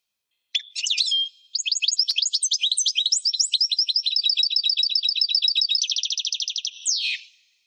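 A young European goldfinch sings high, tinkling twitters: a brief opening phrase, then six seconds of rapid varied notes ending in a fast trill and a buzzy note.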